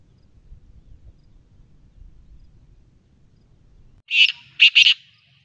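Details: Black francolin (kala or Sindhi teetar) calling: after four seconds of quiet, a short harsh grating note and then two loud rasping notes in quick succession, clear against a faint low rumble.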